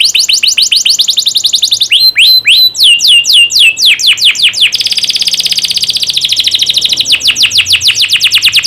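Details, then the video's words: Canary song used as a tutor for juvenile canaries: quick trill, then slower looping downslurred whistles, then a dense, buzzy rolling trill that switches to clearer rapid chirps near the end. "Masteran burung kenari paud biar gacor"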